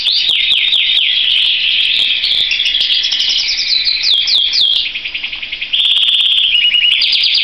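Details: Canary in full song, with dense rapid trills and quick down-slurred notes. After a short, quieter break it resumes with a flat, rolling, buzzy trill.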